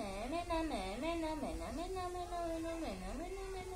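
An Alexandrine parakeet talks in a voice-like, slightly nasal tone. It repeats a short phrase with swooping rises and falls in pitch, in a quiet room.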